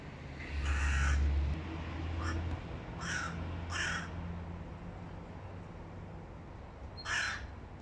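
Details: Young male hooded crow whose voice is breaking, recorded in August 2022: about five harsh, hoarse caws spaced irregularly over eight seconds, some cracked and rough, above a low steady rumble.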